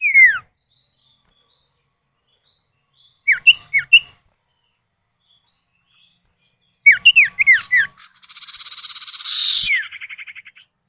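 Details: Common iora male and female answering each other as a lure for other birds: short clusters of quick downslurred whistles, then a rapid run of slurred notes giving way to a buzzy trill with falling whistles over it.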